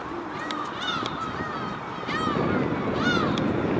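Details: Bathing gull giving a series of nasal, arched calls, several rising then falling, repeated roughly every half second over a steady loud rush of water and background noise.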